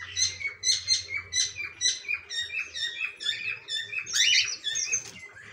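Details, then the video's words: Cockatiels giving a fast, overlapping chorus of bright harmonic chirps, about two per second, growing denser and harsher toward the end, over a steady low hum. "Coke tail parrotts"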